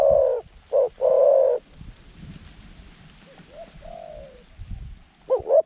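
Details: Zebra dove decoy with a mid-range voice, luring wild doves to a trap enclosure: rolling trilled coos, then softer arched slurred notes, then a quick wavering double note, with low rumbling noise.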